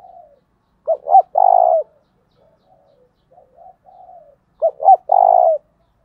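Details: Spotted dove cooing to attract wild doves: two loud phrases about four seconds apart, each two clipped notes and a long rolling coo, with soft quieter coos between them.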